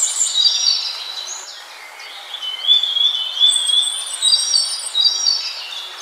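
Scaly-breasted Munia giving thin, high whistled notes, some long and drawn-out, overlapping in irregular bursts about once a second, with no other sounds.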